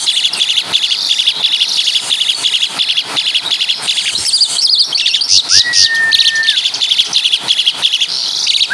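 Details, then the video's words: Asian pied starling, a native Javan bird, singing imitations of caladi and kapas tembak calls: dense, rapid high chirps and trills repeated about three times per second, with one long flat whistle midway. "Burung Jalak Suren Full Suara Kapas TembaK"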